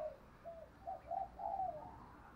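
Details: Spotted dove cooing to lure other doves, thổ sấm voice style: a faint series of soft, low, hollow coo notes, lengthening toward the end, over a steady background hiss.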